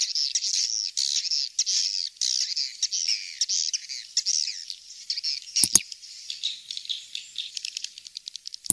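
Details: Swiftlet lure call: a dense, continuous chatter of high twittering notes, with a few sharp clicks near the end.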